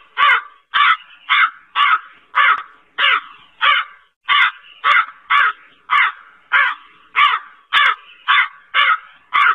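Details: Hoarse, buzzy cawing of a black crow, a steady series of short harsh notes repeated nearly twice each second throughout.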